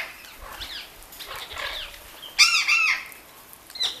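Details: Captive Orange-winged amazon at a bird garden by Lake Balaton, bathing. Soft fluttering and faint calls lead into a loud, strident squawk after two seconds, then a brief final screech.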